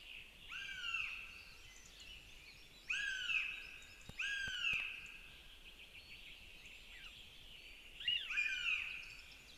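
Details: Northern goshawk chicks, two of them, calling as their mother brings food and feeds them at a nest in Zemgale, Latvia: thin, downward-slurred squealing whines in bursts about every two to three seconds, over a soft steady background hiss.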